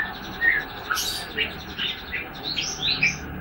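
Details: ['Young white-rumped shama of the Medan type, about three months old, beginning to sing: scattered short whistled notes and quick slurred chirps, some sweeping upward high, over a steady low hiss of background noise.']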